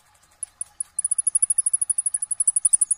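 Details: Quiet but clear high trill from a kolibri ninja: a few spaced chirps, then a long, fast, evenly repeated string of very high ticking notes lasting about two seconds.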